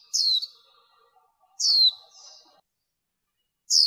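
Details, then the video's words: Female warbling white-eye with a high, bright descending phrase that sweeps down sharply, repeated about every one and a half seconds, followed by softer twittering. Noise has been trimmed from the recording, and the background is otherwise quiet. "Tiếng Khuyên Mái"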